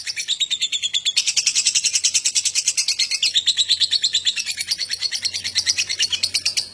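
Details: Lovebird chattering song in the ngekek style, used as a lure to prompt other lovebirds to sing. It is a long, rapid run of high, sharp chirps, about three per second, pouring out steadily without pause.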